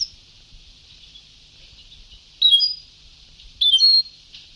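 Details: European goldfinch on an old Sebtawi singing tape, giving two bright, high twittered phrases about a second apart after a hissy pause.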